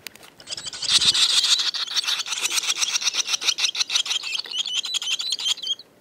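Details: A gang of barn swallows calling together: dense, rapid high twittering chatter with scratchy chirps and short rising notes, many birds overlapping continuously for most of the stretch, pulsing in quick bursts.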